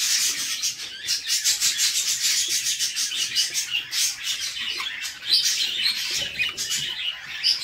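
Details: Female budgie feeding her chicks in a nest box; the chicks give a fast, dry, rasping sawing chatter of regular pulses, later broken by sharper squeaks.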